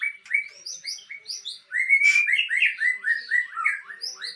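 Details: White-rumped shama of the Aceh type, kept as breeding stock, singing a rich run of clear whistled notes and short slurred phrases, some rising and some falling, delivered in quick succession with brief pauses.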